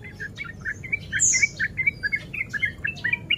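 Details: Breeding male sooty-headed bulbul singing excited ropel notes meant to goad other bulbuls: a steady stream of short, bubbly mid-pitched chirps, several a second, with one high, thin slurred note early on over low background hiss.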